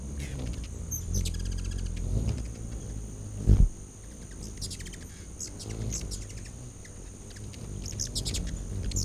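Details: Hummingbirds crowd a back-deck feeder in late August 2019. Repeated high, sharp chittering bursts come every second or two, with a deep wing hum beneath and one brief low thump.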